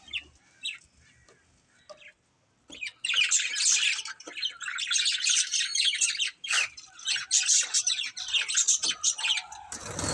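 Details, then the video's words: Colourful pet budgerigars, a family group, chirping: after a few quiet notes, dense rapid chatter of buzzy, scratchy warbles and high twitters fills the rest, with short pauses between bursts. "Cute Colourful Budgies Chirping Sounds"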